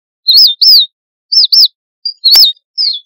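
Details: Strawberry finch giving its flock-gathering call, pairs of sharp, high, down-curving chirps followed by a few softer single notes, with no other sounds in the background.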